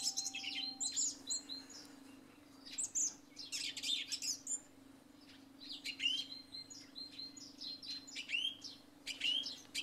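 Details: Early-morning song thrush song after overnight rain: clusters of high whistled and chattering notes with brief pauses, a few clear phrases repeated, mixed with busy sparrow chirping and a faint constant hum.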